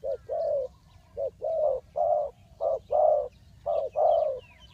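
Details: Spotted dove decoy cooing at a bird trap in Ninh Thuận: clear low coos, short clipped notes paired with longer rounded ones, repeated roughly once a second, faint twittering birds behind.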